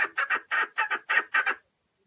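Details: Caged chukar partridge (keklik) in Tajikistan, 2020: a short burst of seven harsh, clucking chuk notes in quick, slightly uneven pairs over under two seconds, then silence, recorded close in a quiet setting.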